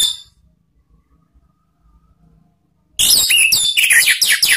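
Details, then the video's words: Orange-headed thrush (anis merah) lure song for cage bird training, 'ngeplong' type: a brief note, silence, then a dense, loud stream of varied high chirps and slurred whistles. "memancing ANIS MERAH BUNYI NGEPLONG ¦ PANCINGAN KICAUAN ¦ NGERIWIK"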